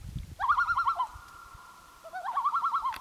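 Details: On Gavia Lake in 2011 a common loon gives two rapid wavering tremolo phrases about a second apart, each a fast string of pulsing notes, with a faint low thump at the start.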